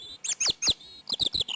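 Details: A curious European robin in woodland sings a quick run of thin, high, tumbling notes and sliding whistles, several phrases within under two seconds, ending in a sustained high note.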